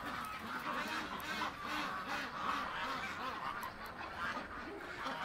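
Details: Flock of domestic ducks panicking and skating across ice as the keeper enters during morning chores on November 23, 2017; rough, nasal quacks repeat rapidly and irregularly over a steady background hiss.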